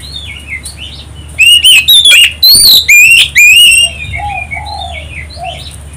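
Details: Magpie-robin song used as a lure for other singing birds: quiet warbles lead into a rapid series of five loud, shrill whistled phrases, followed by softer chirps and low whistles of other birds.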